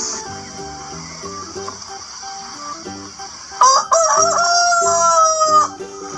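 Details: Chicken crowing among farm animals: a single drawn-out rooster crow of about two seconds, harmonic and slightly rising then steady, heard over continuous background music with a steady beat.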